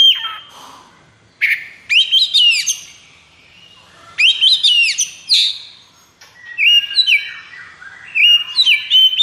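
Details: White-rumped shama in high breeding condition pours out loud, varied phrases of rapid whistles, clicks and swooping notes in several bursts, a lively, full-power song.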